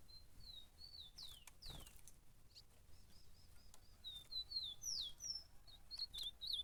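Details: Ultramarine grosbeak fighting at a campeada utters spaced, thin slurred whistles and short downward notes, louder toward the end, over a steady background rumble.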